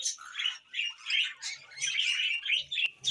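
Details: A pet budgie gives short scratchy warbled phrases and squeaky chirps in pulses roughly every half second, with a brief click near the end.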